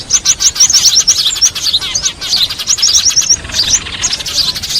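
Sparrows chatter noisily, with dense high chirps and quick twittering notes overlapping almost without a break.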